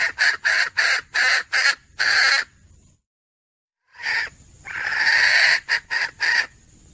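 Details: Female red junglefowl, recorded 17 February 2021, calling to draw males near: rapid series of hoarse cackling notes, a pause of about a second, then more rasping notes, a longer drawn note and a faint steady high tone.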